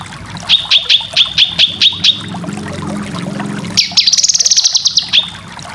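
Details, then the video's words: Cucak kinoy song for competition bird training: around eight sharp, evenly repeated notes, a pause, then a fast, rising, high trill. "Masteran full besetan cucak kinoy cocok untuk burung lomba"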